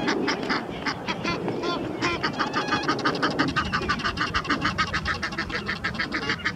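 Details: Egyptian geese at the Round Pond, two males wrestling in a fight while a mate calls encouragement: rapid, harsh, repeated honks pulsing about three times a second, steady and insistent, over splashing and low background rumble.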